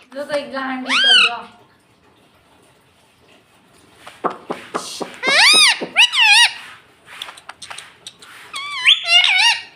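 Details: A pet talking parrot, said to say "Mummy", produces speech-like phrases. Short warbled syllables come first, then a pause with faint clicks, and then a burst of loud, rapidly bending, rising-and-falling squawky notes.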